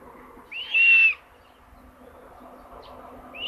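A single high, drawn-out squealing call of a common buzzard, about half a second long and fairly even in pitch, over a quiet low background hum.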